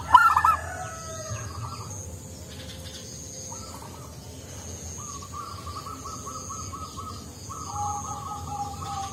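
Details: Local zebra dove with a soft, mellow voice, kept as a lure for other doves: a loud stuttered burst at the outset, then a run of quieter, level, slightly wavering cooing notes.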